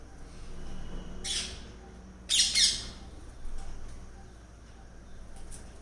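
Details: Parrots arriving at a home for their morning feed, swooping in from branches of adjoining trees from 6:30 a.m.; two harsh, loud squawk bursts and a fainter one, over a steady low hum.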